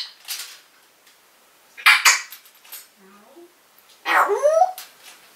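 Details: Pet African grey parrot in its cage in 2012, talking and calling out the owner's mother's name: scattered short harsh bursts, then a loud voiced phrase with stacked, rising-then-falling tones near the end.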